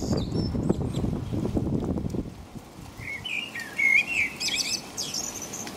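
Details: Night-time blackbird song in the rain in England: heavy rain pattering at first, then a short mellow whistled phrase trailing into thin, high twittering notes.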